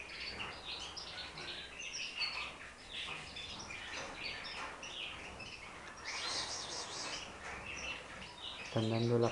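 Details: Several young Timbrado canaries at the start of song training, prompted by the breeder's soft blown "wind" whistle, give scattered bursts of high chirps and short twittering runs; the training begins in October, before contest caging. A man's voice cuts in at the end.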